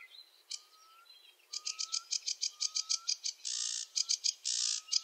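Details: Sedge warbler song: a few scattered high chirps, then a rapid chatter of short buzzy notes about five per second, broken by two harsh rasping bursts. A faint, low, rising whistle repeats underneath.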